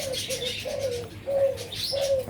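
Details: Young zebra dove, about four months old and a hybrid, in early training, coos softly in short, low, slightly falling notes, about four in two seconds, while small birds chirp high in the background.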